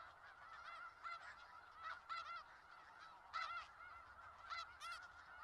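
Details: Snow geese gathered in Skagit Valley produce a continuous honking chorus, many birds overlapping, with clearer individual yelping honks rising above it about once every second or two.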